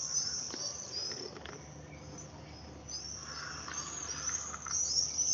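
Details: Common Swifts in a screaming party over houses with nest boxes in Oxford, flying low and repeatedly over the same house, a sign of nesting nearby; thin, high shrill screams run almost continuously, with some fainter lower sounds midway.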